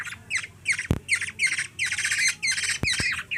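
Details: Hungry baby black-naped oriole in the Philippines, fed by a small girl, utters coarse, buzzy squawks with a slightly rising edge, about three per second, broken by a few sharp clicks or taps.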